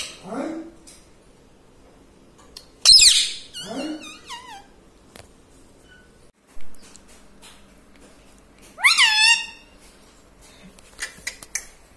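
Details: Pet parrot known for saying "mummy" and "radhe radhe": a few separate harmonic, wavering utterances spread over twelve seconds, with clicks and quiet room noise between them.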